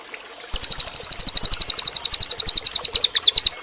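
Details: Training recording of a cililin: after a brief quiet start, a three-second burst of quick, high, evenly spaced chirps, about eight per second, ending abruptly.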